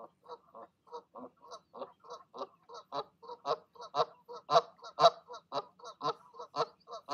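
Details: Urging goslings to take the leap from their nest one evening, parent geese honk steadily about twice a second, growing louder and more overlapping toward the middle.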